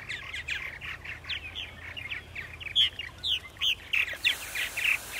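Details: Purple martins chattering in Center Moriches, Long Island, New York, on an April morning in 2012. Steady gurgling notes build to louder, clearly spaced croaky chirps near the end.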